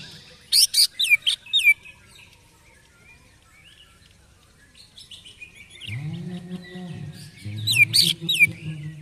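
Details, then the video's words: Caged greater green leafbird, agitated after its first song contest in Indonesia: bright, rapid, high whistled notes and chirps with quick slurred phrases in two bursts, separated by a quiet gap, with a low steady hum underneath the second burst. "CUCAK IJO EMOSI SETELAH LOMBA"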